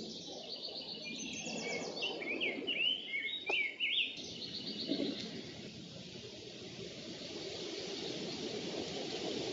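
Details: Bald eagles at their nest on a nest camera, 1 June 2014, during food stealing, mantling and a tug of war: a burst of thin, high chittering whistles for about three seconds, with steady wind-like hiss throughout.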